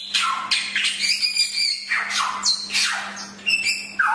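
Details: Hwamei song recorded as training material for other birds: strong slurred whistles sweeping up and down, interspersed with harsh scratchy bursts, delivered in quick succession over a constant low hum.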